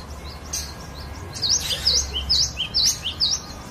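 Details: Varied song of a collector's cinereous tit, or glatik batu, used as a training lure for other songbirds; five ringing, sharply swooping whistles with a softer lower note between each, repeated every half second.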